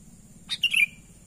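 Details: Lure call of a sooty-headed bulbul, natural voice: a quick clipped note, then a lively warbled flourish that drops at the end, all in well under a second, against a constant thin hiss.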